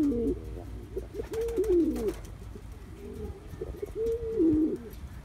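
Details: Cuban Pouter pigeon, a young male practising his courtship dance, uttering low warbling coos in several phrases, some rising then dropping, over a steady low background hum.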